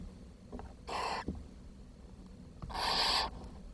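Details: Barn owl young at the nest, June 2023, where the smallest chick died for lack of food: two loud, breathy hisses about two seconds apart against a quiet background.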